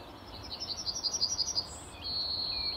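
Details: Male yellowhammer perched in a tree beside a car park entrance at RSPB Fowlmere, early morning in late March 2015: a rapid series of about nine high, sharp notes over a second, followed by a longer drawn-out high note, against steady background rumble.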